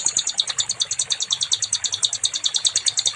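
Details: A nightingale, or sikatan londo, sings in a recording meant to train other songbirds: a dense, fast stream of high, doubled chipping notes, steady throughout, with faint low background noise.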